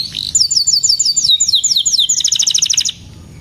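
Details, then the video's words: Canary singing, used as a training song for young canaries learning to sing and as a therapy song for canaries that have stopped singing: a fast, bright run of repeated, sharply falling whistled notes, then a quicker rattling trill of short high notes, ending abruptly. "Burung Kenari GACOR Cuit Cuit EMOSI‼️Pancingan Kenari Paud Belajar Bunyi, Terapi AMPUH Kenari Macet"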